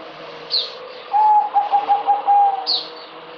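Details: Merbok, the zebra dove, delivers a rhythmic series of soft, stuttering coos on one low tone, ending with a longer note, between two sharp high-pitched chirps from another bird.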